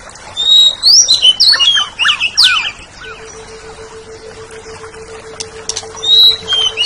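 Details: Greater green leafbird (Chloropsis sonnerati), song.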